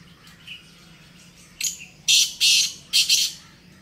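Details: Black francolin calling in jungle, a series of loud harsh grating bursts, two pairs of rasping notes in quick succession, over a steady low hum.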